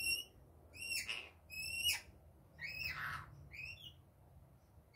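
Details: Rainbow lorikeet in daytime giving sharp, high, harmonic-rich squawks with rising and falling inflections, spaced irregularly about every second, over a low constant hum.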